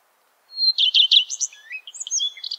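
A Common Redstart sings a clear, high opening whistle, then a quick burst of warbled notes that ends in a scratchier, varied twitter.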